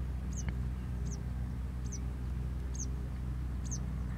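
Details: Eastern yellow wagtail in paddyfields in Malaysia, 2 January 2022, giving five thin, high, sharp call notes, each under a second apart, over a steady low engine drone.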